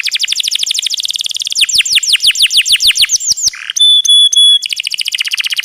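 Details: Canary song used as a training recording, noted for its long rolling trill, with added trickling water: fast rapid-fire high chips, a series of steep downward slurs, a few pure sustained whistles, then renewed quick trilling.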